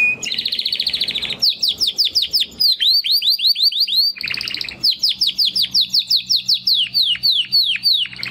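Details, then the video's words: Timbrado canary, a young captive male singing among its brother after their first molt: a buzzy rolling trill, then quick descending chirp series repeated several times per second, with another rolled trill in the middle. "Two Canaries Brothers - Canary training song"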